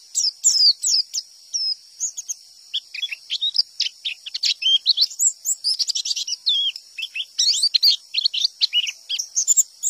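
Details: Wild white-eye singing in forest style, a call meant to make other white-eyes answer: dense, rapid, high twittering of sweet chirps and quick trills, nearly continuous for ten seconds, with short pauses between bursts.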